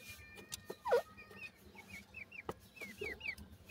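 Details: Young Indian grey francolin (gora teetar) give a few sweet, high cheeps that sweep upward and then fall, spaced unevenly, with a louder thump and some clicks.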